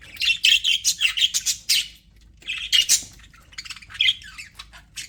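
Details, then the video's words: Chirping budgerigars in an aviary: dense, buzzy warbling chatter of rapid high notes, pausing briefly, then resuming in squawky bursts. "HAPPY BUDGIES SOUNDS"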